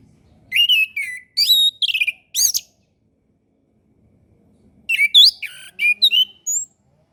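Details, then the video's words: An orange-headed thrush sings in two bouts of rich, varied whistled phrases, each note sharply slurred downward and run close together, separated by a few seconds of silence; a master recording for training young birds to sing. "MASTERAN SUARA ANIS KEMBANG KHUSUS UNTUK ANIS KEMBANG BARU BELAJAR BUNYI DAN KURANG BIRAHI"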